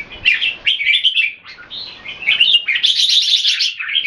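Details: Caged red-whiskered bulbul from Singapore in display: continuous chattering warbles, dense rapid notes in the second half with a high sibilant overtone, short pause near one and a half seconds.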